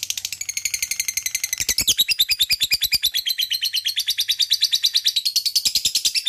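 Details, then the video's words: Lovebird in long ngekek chattering song, a continuous stream of rapid scratchy high-pitched chirps at about three per second, shifting in tone around the second mark and carrying on steadily throughout. "SUARA BURUNG LOVEBIRD NGEKEK GACOR PANJANG"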